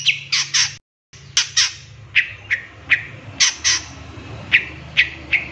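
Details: Long-tailed shrike (cendet) training recording with 'tembakan' fill: harsh squawks and sharp chips at irregular intervals, broken by one brief cut to silence, over a faint low hum.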